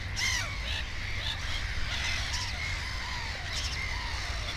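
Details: Black-headed gull (Chroicocephalus ridibundus) at a nest with two chicks, recorded 15 May 2016: harsh, rasping calls repeating about once a second over a steady low rumble of wind.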